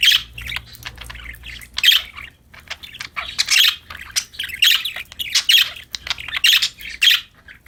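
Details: Several happy budgerigars playing, a continuous busy chatter of scratchy high chirps and warbles overlapping with no pause, with low hum beneath.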